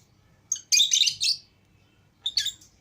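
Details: Lovebirds, a green Fischer's pair and a lutino pair, out of their cage with other lovebirds; a burst of shrill, high chirps and squeaky chatter lasting about a second, then a shorter second burst after a pause.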